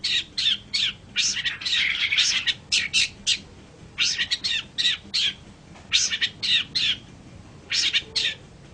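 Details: Long-tailed shrike vocalising as a training recording for other songbirds: series of harsh, grating squawks and chatter in irregular bursts, some clustered rapidly, over a steady low hum.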